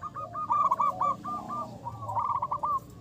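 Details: Local zebra doves, kept as lure birds with a loud voice, in full song. Rapid bursts of short, bubbling coo notes come in two runs separated by a brief lull, over a faint low hum.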